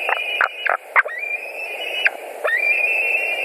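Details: White-tailed eagles at a nest in Latvia, 11 July 2020, 21:09, as one adult returns for dinner; short clicking notes, then drawn-out whistled calls holding a steady high pitch, with a faint background hiss.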